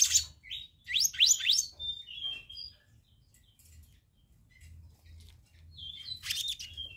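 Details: Black-naped monarch used as a lure, giving sharp rising whistled slurs and short buzzy phrases, with a gap of near silence before another slurred, scratchy burst.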